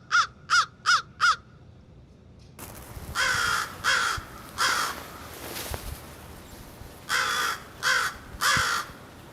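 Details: Crows in a murder that hangs out around the area, taken through a backyard window: four quick harsh caws, then a noisier stretch with further spaced, hoarse caws over a steady background rush.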